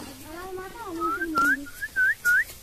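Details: Common myna from India, kept as a talking bird, producing a string of five clear upward-slurred whistles, following a lower humming voice, in an indoor setting.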